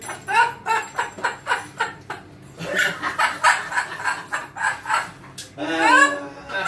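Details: Amazon parrot babbling in quick, rhythmic speech-like syllables for several seconds, pausing, then finishing with a louder, drawn-out nasal phrase with rising and falling inflection.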